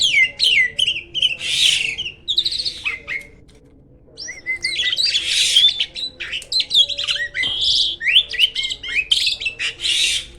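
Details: Varied loud chatter from a Black-winged starling, a bird called rare in the wild: bursts of squeaky whistles and harsh rasps, a quieter lull around the middle, then renewed rapid sharp notes.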